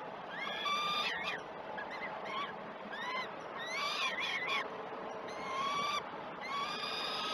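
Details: Peregrine falcon at the Great Spirit Bluff nest, filmed by a live camera during a breakfast feeding at 09:07 on 21 June 2018. Several drawn-out, harmonic wailing calls, some rising or bending, separated by short pauses over steady background hiss.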